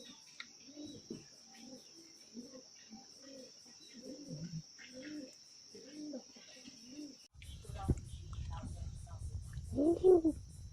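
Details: Spotted dove living free without a cage, giving soft, low cooing notes repeated steadily less than a second apart, over a constant high electronic whine; louder rumbling noise and handling sounds take over near the end.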